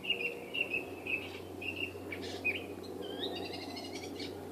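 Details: Catbird tucked in trees of a Saskatoon yard, unusually far north, giving a few wavering whistled notes followed by a fast buzzy, rattling series, with steady low background hum.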